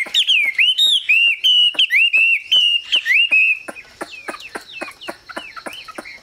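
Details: Chinese hwamei, a caged songbird, giving loud evenly spaced whistled notes, then a quieter series of short downslurred chirps.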